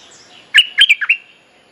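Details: Merbah lekir, the bulbul called nok dok taeng in Thai, giving a short mating-call phrase meant to train young birds: four quick liquid whistled notes, the last drawn out, with faint high hiss behind.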